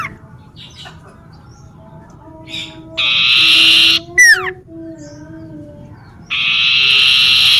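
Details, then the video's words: Energetic common iora song in a garden near a house: faint soft notes, then a long loud buzzy rasp closed by a falling whistle, and a second rasp starting soon after. "siulan burung cipoh mengingatknku masa kcil dlu yg sering trdengar di kebun Dket rumahku"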